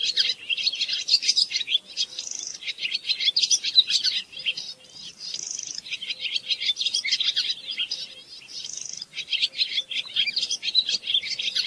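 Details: A Barn swallow pours out fast, squeaky twittering. Harsh buzzy rattles return roughly every three to four seconds, and the chattering rises and falls in intensity across the whole stretch.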